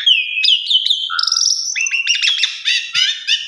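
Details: An Asian pied starling sings a sequence used to tutor other starlings: a long falling whistle, a brief low note, a high held tone, then rapid repeated downslurred chirps.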